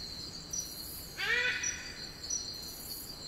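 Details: A wild Eclectus parrot in rainforest on Cape York, Australia, gives a single harsh, nasal call lasting under half a second, rising then dropping, over steady, high insect droning.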